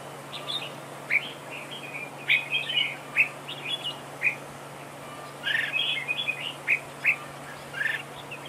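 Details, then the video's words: Red-whiskered bulbul used as a decoy bird in a trap duel, singing duel song meant to stir other birds: short bright chirpy warbled phrases in bursts about every second, with pauses, over a steady low electrical hum. "Bẫy đấu chào mào cực đẹp, hót cực hay"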